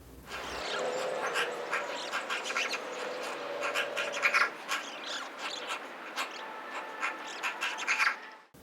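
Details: Eurasian magpie song, which a male sings to court a female rather than as an everyday call: a steady, quiet, rambling run of soft chatters, clicks and squeaky notes with a few brief whistled tones, lasting about eight seconds.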